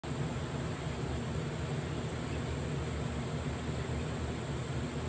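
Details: Constant dense rushing noise with a low rumble fills the recording, steady throughout, with no animal sounds standing out.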